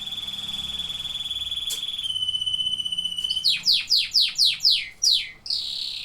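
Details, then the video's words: Canaries singing: a long steady high whistled roll that drops slightly in pitch, followed by about six loud downslurred notes repeated roughly four times a second, ending in a short burst of rolling trill. "Singing canaries."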